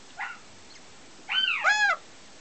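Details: A young female German x Finnish goshawk, the first chick hatched in 2009, gives three nasal, rich wailing calls: a faint short one, then two louder drawn-out cries that arch up and down.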